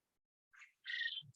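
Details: A male Japanese (Coturnix) quail crows, the call that identifies a male: a short rasping note, then a longer, harsh, buzzy phrase, followed by a brief low thump.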